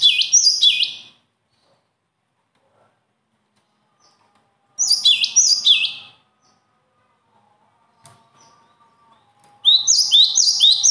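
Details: Songbird praised for natural talent sings three short bursts of high, falling chirped notes spaced about four seconds apart, with faint low hum between phrases.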